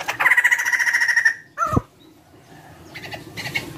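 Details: White-crested laughingthrush used to prompt other birds to sing; a rapid rattling trill over a second long, a loud descending squawk, then quieter scratchy chatter.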